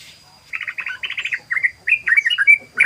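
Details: Yellow-vented bulbul (trucukan) in ropel style, a rapid run of song: bubbly chirped notes in quick bursts, then looser warbled phrases and a few sharp whistles, over a steady faint high electronic tone.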